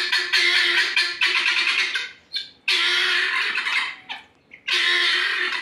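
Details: Guineafowl giving loud, harsh, broadband squawking calls in rapid rattling bursts, three long bouts separated by short pauses with a few brief softer notes between.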